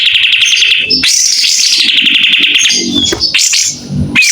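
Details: White-rumped shama in full song, fanning its tail: a dense run of bright whistled and chattering notes, a sharp rising sweep near one second, then quick descending trills and clicks.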